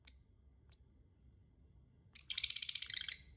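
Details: Lovebird sound used as a lure to prompt singing: two isolated high chirps, then a fast, dense burst of buzzy chattering notes lasting about a second.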